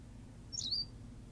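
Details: A male Berthelot's pipit on La Gomera, Canary Islands, gives a single thin, high call, a quick sliding note under half a second long, over a low background rumble.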